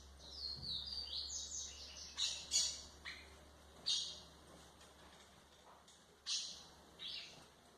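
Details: White-throated seedeater song used for training young birds: scattered high, squeaky phrases and sharp chirps, several swooping notes about once a second, faint against a steady low hum.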